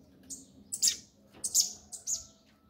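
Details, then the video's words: Double-collared seedeater, "grego" song style: four high, sharp, slightly buzzy notes in two pairs, each falling slightly, spaced about half a second apart over quiet background. "CADA COLEIRO TEM SUA MEXIDA Essa é a do grego"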